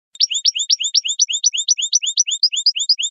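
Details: European goldfinch song: a fast, steady run of high, sharp upward-swept chirps alternating with thin higher notes, about two per second in pairs, clean and without background noise.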